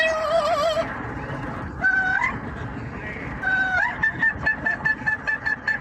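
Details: Yellow-naped amazon kept as a pet, performing operatic singing on a commute: a sustained quavering note opens, then rising slurred notes and a quick string of short repeated calls, with constant car hum underneath.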